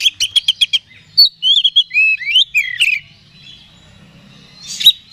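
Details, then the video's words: Oriental magpie-robin giving a provoking song to stir another bird's aggression; a fast run of short chips followed by rising and falling whistled slurs, ending in a brief harsh burst after a pause. "Suara Pancingan Kacer Agar Cepat Emosi Gacor"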